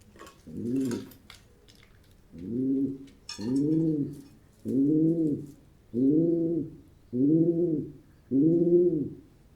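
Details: Pigeon cooing: seven deep, rounded, arching coos, each about a second long, repeated steadily roughly every 1.2 seconds, with some brief rustling and scratchy noise near the start.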